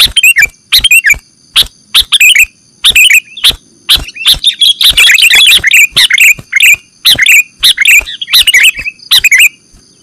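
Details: Sooty-headed bulbul lure for bird catching: sharp single chirps at first, building into a busy stretch of overlapping bubbly, warbling notes, then spaced clusters of chirps, with a faint continuous electronic whine.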